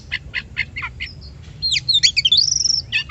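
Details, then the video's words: Oriental magpie-robin song played as a lure to make other birds sing, opening with a few evenly spaced harsh chips, then bursting into fast twisting whistles and a long bright trill, faint low hum beneath. "PANCINGAN BUNYI BURUNG KACER"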